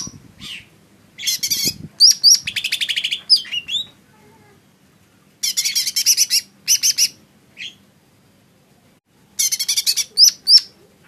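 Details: Lesser green leafbird sings varied phrases: harsh chatters and a fast buzzy trill mixed with clear upslurred whistles. The song comes in three separate bursts with pauses between them.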